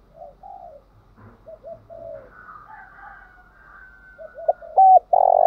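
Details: Spotted dove call to trigger singing: soft distant coos and a faint rooster crow build into loud, low, down-bending coos near the end.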